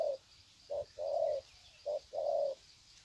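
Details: Spotted doves greeting each other with long 'sạc gù' cooing, Sê San, 21 February 2020: low hollow coos in short-long pairs, a brief note then a drawn-out one, over a steady high insect-like hum.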